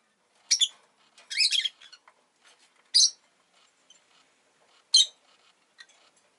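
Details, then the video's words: Captive rosy-faced lovebird, egg just laid, uttering a few isolated shrill chirps spaced one to two seconds apart, with a brief rasping double note early on and quiet between calls. "Lovebird Chirping Sounds"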